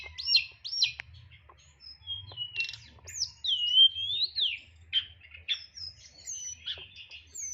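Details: Tledekan, a kept songbird, singing in the crisp 'nyeklek' style with full 'isian' mimicry: loud high whistles, sharp rising and falling notes and chattering phrases, with quiet low rumble beneath.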